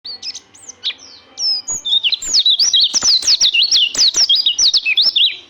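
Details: White-eye singing: a busy run of high, fast, wavering whistled notes that start scattered and settle into a rapid, near-continuous chatter of rising and falling phrases.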